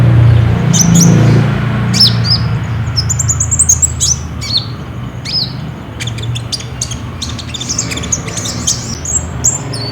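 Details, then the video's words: Olive-backed sunbird of the ninja type, a caged bird in full song used to prompt other caged birds to sing, filmed on a Samsung J5: sharp, high, sliding chirps and quick twittering runs over a low steady hum. "PAKAI PANCINGAN KOLIBRI NINJA GACOR INI PASTI BUNYI"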